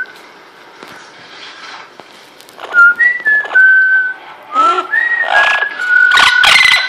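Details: A pet female parrot, newly whistling, indoors in Quebec, Canada: quiet start, then a run of clear level whistles that rise and dip slightly, mixed with scratchy broadband noises.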